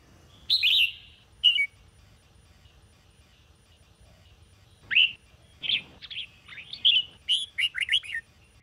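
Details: Red-whiskered bulbul singing for morning training, a chirp pair early, then a series of clear whistled and warbled notes building into a quick fluty phrase near the end, faint background hum.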